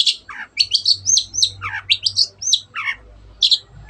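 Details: Long-tailed shrike (cendet) in full 'gacor' song, meant to stir silent birds into singing: rapid run of high whistled and chattering notes, short downslurs and sharp rising phrases packed closely over four seconds, faint low hum beneath.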